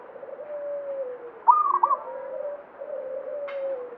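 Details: Local zebra dove with banyumili song: a single short, clipped coo phrase in the middle stands out against steady, lower, humming coos from other doves, with a brief sharp note near the end.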